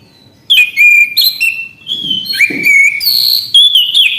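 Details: Orange-headed thrush singing continuously, a rich run of clear whistles that rise and fall, mixed with harsh clicks and quick ringing notes, delivered without a break after a brief silent start; quiet low rumble behind.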